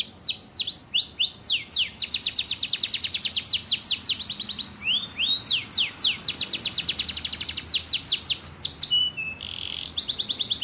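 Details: Kenari canary singing continuously for over ten seconds, mixing fast rattling trills, repeated downward-swept notes and brief whistled slurs, loud and with hardly any pause.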